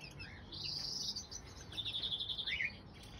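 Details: Crossbill chicks (labelled common crossbill) hatched in April 2020, one and three days old, being fed at the nest by their mother, give high, thin squeaks, then a fast run of insistent begging notes trailing lower, over faint hiss.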